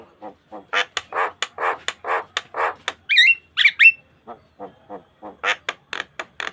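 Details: Asian pied starling song meant as a lure for training other starlings: rows of clicking and rasping pulses broken by a few bent, squawky whistles, then more rapid clicks.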